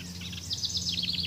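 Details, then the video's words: Wild birds singing in a forest: a rapid run of high, sharp chirped notes that climbs into a quick descending-swept series, over a low steady hum. "Birds singing in Forest"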